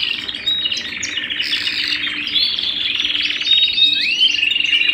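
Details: Canary singing at home: a continuous, high warbling song of rapid trills and chirps, with a long rolling trill in the middle and a rising whistled sweep near the end; a faint low steady hum underneath.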